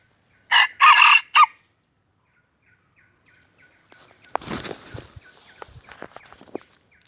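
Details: Red junglefowl from Aceh, an F1 bird used as a lure for trapping, gives a short, loud, three-part crow. Scattered rustling, knocks and faint chirps follow.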